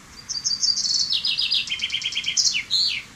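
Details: Common chaffinch singing one full song: a fast run of high, bright trilled notes that steps downward in pitch through several repeated phrases, then ends in a quick sweeping flourish, over a faint low background hiss.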